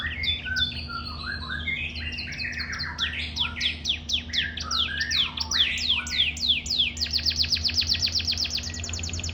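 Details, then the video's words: Canary singing vigorously: a continuous run of quick, high downward-sweeping notes and short chirps that speed into a rapid, evenly repeated trill near the end, with a steady low electrical hum underneath. "Burung Kenari super gacor"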